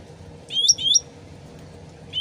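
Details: Sooty-headed bulbul in a lure recording meant to prompt quick answers: a single pair of bright, rising whistled notes, with a faint start of another at the end, set against continuous trickling water.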